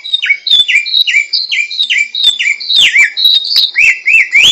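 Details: Samyong laughingthrush singing in the wild: a fast run of bright whistled notes, each sliding down then levelling off, about one per half second, with sharp clicks between phrases and a rising final pair.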